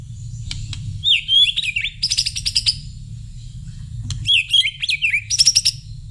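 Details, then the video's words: White-rumped shama responding to a whistle with two matching bursts: a bright rising whistle that dips, followed by a rapid buzzy rattle of high notes, repeated about three seconds later. "Suara siul bikin murai langsung nyaut"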